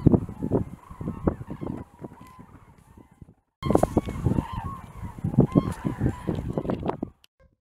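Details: A crowded flock of common cranes in Gard, France, in January 2024, calling with harsh, trumpeting notes that overlap rapidly, a brief break midway, then a louder burst of calling.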